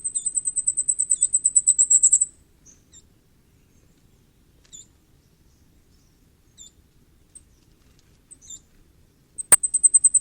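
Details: Common firecrest calling: a rapid, very high, thin series of about twenty needle-like notes for two seconds, then scattered single high ticks, and a fresh fast run at the end after a sharp click; quiet background.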